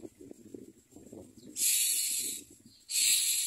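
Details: Begging common myna chicks in the nest: after soft low rustling, two loud, wheezy hissing bursts of under a second each break out.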